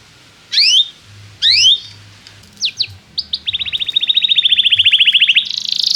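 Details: Canary singing to teach young canaries: two sharp descending chirps, a few short notes, then a long even high trill of rapidly repeated syllables.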